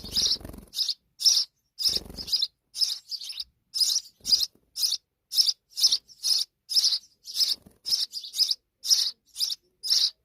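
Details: A sparrow mother with her babies: rapid, high, scratchy chirps repeated about twice a second in uneven bursts throughout, with brief low rustling thumps near the start and around two seconds.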